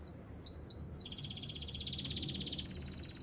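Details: Canary singing: a few clear, high, upslurred whistles, then a long, fast, buzzy rolling trill of rapidly repeated notes that changes pitch partway through, over low background noise.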